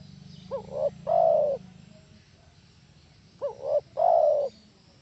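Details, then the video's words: Spotted dove call used to lure other doves to answer: two phrases about three seconds apart, each a pair of short notes then a long soft coo, over a low droning hum. "SUARA TEKUKUR AMPUH..!! BIKIN SEMUA TEKUKUR NYAUT..!!"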